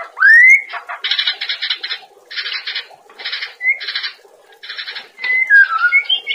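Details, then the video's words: White-rumped shama master song for training cage birds: a loud rising whistle, then bursts of harsh buzzy rattled phrases separated by short gaps, ending in clear slurred whistles. "Masteran materi harian burung murai batu"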